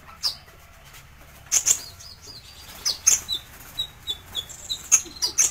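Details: High thin chirps of a sunbird called kolibri ninja, used as master song for training birds, coming in quickening bursts toward the end with short sliding whistles between.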